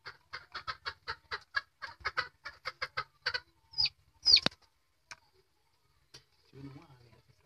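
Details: Angry caged parrot giving a fast run of short, harsh, chattering notes, about two a second, then a louder screech and a few faint scattered sounds before quiet.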